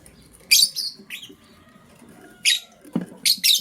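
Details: Green lovebird chirping as a blue lovebird scrambles for vegetables in the morning; loud, grating high chirps in quick bursts, with a thin tonal whistle and some clattering in between.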